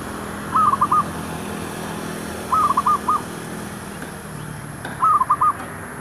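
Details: Decoy zebra dove calling near shops to lure wild doves; three short stuttering coo phrases, each of about four notes, roughly every two seconds over a steady background hum.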